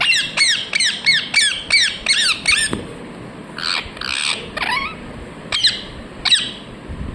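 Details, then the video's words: A rapid, regular run of about eight loud, descending, buzzy chirps from a ringneck parrot, then looser softer notes and a few sharp calls near the end. "Ringneck parrot Chirping sounds"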